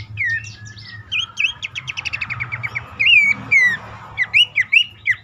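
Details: Abbott's babbler calling, used as a lure to stir reluctant, stressed caged birds into song. Slurred whistled notes, a rapid chattering trill in the middle, then clear rising-falling whistles. Low steady hum underneath.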